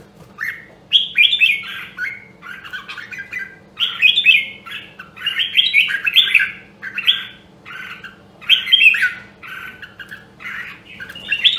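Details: Red-whiskered bulbul, a Nam Dong, Hue bird trained for competitive singing, repeats lively warbled phrases of rapid whistled and buzzy notes, close together with short breaks, steady low hum underneath.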